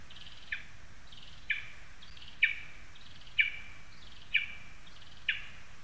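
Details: Lesser spotted eagle calling from a spruce in Zemgale, Latvia, on 22 August 2021. Six short, high yelps, each a second apart, every one a quick downward slur, heard against steady low background noise.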